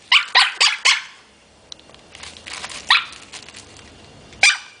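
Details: A parrot barking while playing with a plastic bag: four rapid, hoarse, dog-like barks, a rustling pause, then two more spaced barks, all sharp and high-pitched.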